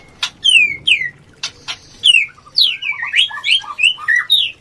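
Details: White-rumped shama (murai batu) call meant to raise breeding urge in birds lacking it. Sharp, clicking notes lead into varied, loud whistled slurs, some falling and some rising, given in quick succession.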